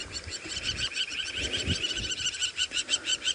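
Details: Crowned lapwings in Sabi Sand near Kruger Park, South Africa, on a July 2017 sunset drive, loudly alarmed because a mongoose, which eats eggs at nests, is close by; rapid high, sharp, scratchy calls from several birds, about three a second, over low engine rumble.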